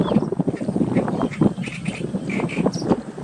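Cinnamon bittern giving a rapid run of low, guttural croaking notes, several per second, with faint thin higher chirps in the background.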